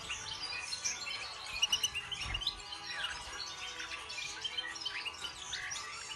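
A goldfinch sings a fast, tinkling twitter of bright, liquid notes and buzzy trills, running on without pause. There is faint background hiss.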